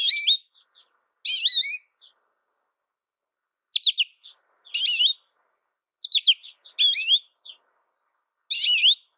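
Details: American goldfinch singing: short bursts of rapid, wavering high twitters and chirps, each phrase under a second long, separated by brief silent gaps, about seven phrases in nine seconds, with no background sound.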